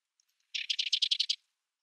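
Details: Sedge wren producing a single buzzy, rattling chatter of about ten rough, rapid pulses lasting under a second, harsh and dry, preceded by a few tiny faint ticks.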